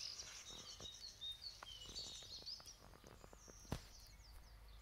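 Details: Young great tit giving a steady series of thin, high-pitched squeaky notes, some slurred or slightly rising, about fifty a minute, against a low rumble of background noise with scattered clicks and one sharp knock.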